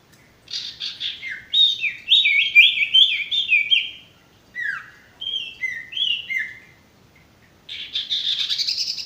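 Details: Male sirtu song for training birds that are stressed or not singing: repeated descending slurred chirps in quick sequence, spaced downward notes, then a high rapid twitter after a pause.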